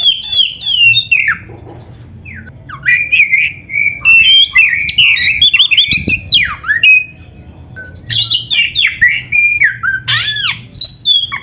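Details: Oriental magpie-robin in full song, a training recording meant to get caged birds singing, with rich varied fill-in phrases: loud high whistles, sliding notes and harsh chattering bursts in rapid runs, broken by two short pauses.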